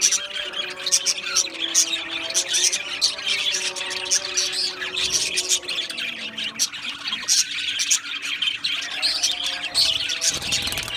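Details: Many Australian budgies in a colony aviary give rapid, crowded chirps, squawks and warbles, an unbroken high chatter over eleven seconds with low steady tones beneath.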